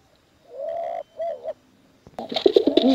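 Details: Pigeons of both sexes kept for contests: a drawn-out level tonal note and a short wavering note, a brief pause, then a loud burst of deep rolling coos.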